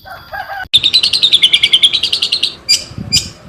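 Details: Javan long-tailed shrike delivering a clear filled song: after a short low warble, a fast, even trill of high notes lasting about two seconds, followed by two isolated sharp chirps.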